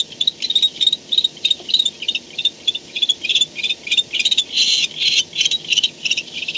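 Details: Barn owl home at the nest at 4:38 am on 2-10-16, caught by a nest cam: loud, continuous rasping chitter in rhythmic pulses, several a second, with a longer hissy swell near the end.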